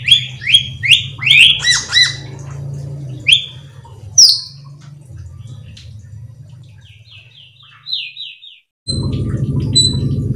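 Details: Cucak keling lure song with many fill-ins, aimed at getting other cucak keling to sing: a quick run of bright chirps, scattered whistles and a soft trill, with a low hum that grows loud near the end.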